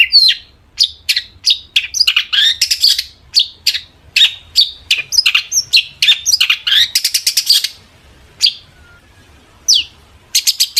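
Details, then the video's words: Long-tailed shrike (cendet) in full energetic song meant to provoke other shrikes into replying, delivering rapid varied chirps, buzzy bursts and dense rattling trills with brief pauses between phrases. "burung cendet gacor FULL EMOSI pancingan CENDET AGAR NYAUT"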